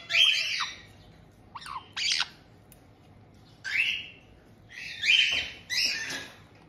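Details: White-bellied caiques in a multi-bird household in Tokachi, Hokkaido, June 2023, welcoming a newly arrived young bird: piercing, grating squawks in separate bursts, with short quiet gaps between them.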